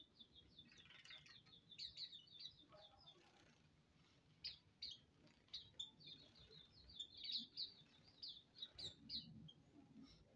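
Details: Hume's white-eyes bathing as a colony, giving high, thin chirping notes in runs. A quieter middle stretch gives way to overlapping twitters from several birds, with low rustling and splashing-like noise.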